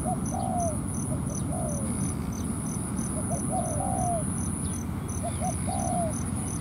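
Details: Ground-trap scene with a decoy spotted dove and a wild bird drawn in to fight: three cooing phrases, short paired notes leading into a long slurred downward coo, amid steady insect ticking and low rumble.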